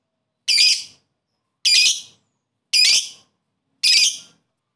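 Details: Lovebird giving koek calls toward a rival: four loud, harsh, buzzy high squawks, evenly spaced a little over a second apart, with silence between.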